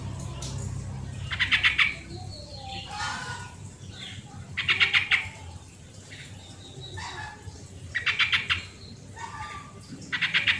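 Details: Sooty-headed bulbul song, used as a lure recording to prompt reluctant caged birds to sing: short bubbly, rapidly pulsed chattering phrases, about half a second each, repeated four times at roughly three-second intervals over a low background hum.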